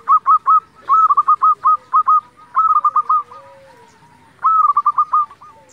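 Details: Local zebra dove singing steadily, used as a lure to provoke other zebra doves into singing: four quick bursts of short, stuttering cooing notes, each phrase a rapid run of clipped mellow pulses, separated by brief pauses.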